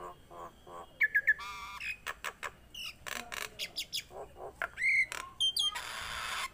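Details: Tame Nias hill myna in full song, mixing clipped whistled notes, gurgling harmonic chatter and sharp clicks, with a loud pure whistle in the middle and a long harsh rasp at the end.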